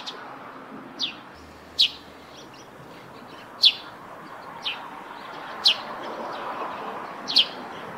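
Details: Eurasian tree sparrow singing by its nest on a roof, repeating loud, crisp, downward-sliding chirps every one to two seconds with fainter notes between them, over soft continuous background noise.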